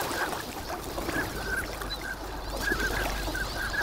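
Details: Wintering migrant ducks on Lake Inawashiro at Nagahama on a fine winter morning, a flock calling in short nasal notes scattered through the clip over steady low wind and water background.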